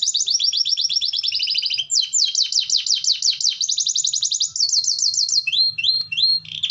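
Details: Canary singing a long continuous gacor song, meant to set other canaries singing: fast high trills of repeated notes, each series shifting speed and pitch, ending in slower slurred upward notes over a faint low hum.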